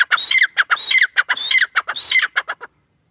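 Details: Irani teetar francolin pair calling: harsh squawking notes and drawn-out twisting phrases repeated at a steady pace about every half second, four cycles before falling silent.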